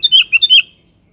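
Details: A quick, lively phrase from a sooty-headed bulbul (kutilang): five rapid warbled notes, bright and liquid, dipping and rising, ending abruptly with silence after.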